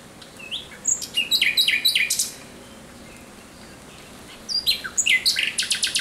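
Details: Night song of a thrush nightingale, 17 May 2023: a phrase of varied whistled and chattering notes, a quiet gap of about two seconds, then a fast, loud run of repeated sharp notes.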